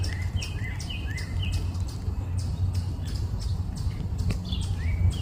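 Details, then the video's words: Birds chirping early in the morning: repeated short rising whistled chirps, several in quick series, over a steady loud low rumble of background noise. "Hearing The Chirping Sounds Of Birds"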